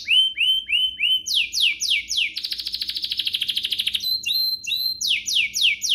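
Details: Domestic canary song intended to set other canaries singing, mixing falling whistled sweeps repeated about three per second, a dense buzzy trill, and more downward-swept notes.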